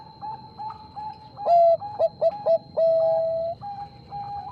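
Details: Bangkok-type zebra dove in lively song, answering a rival: soft repeated coos, then a loud cooing phrase of one long note, three short clipped notes and a long drawn final coo before the softer background coos resume.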